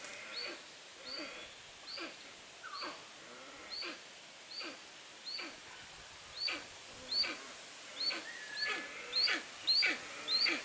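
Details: Steppe eagle at Upie zoo, Drôme, France, giving short, harsh, high calls with a falling tone, repeated about every half second to a second, growing louder toward the end.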